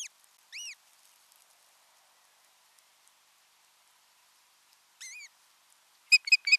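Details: On 6 June 2023, an osprey pair in Satakunta, Finland, briefly alone together at their nest: sparse high whistled calls, each arching up then down, separated by silence, ending in a quick burst of sharp chirps.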